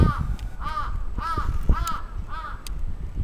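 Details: Crow attacking in Atsubetsu Ward, Sapporo, on 27 June 2017: five hoarse, arched caws, each about a third of a second long and coming roughly every half second, over a low outdoor rumble with a few sharp clicks.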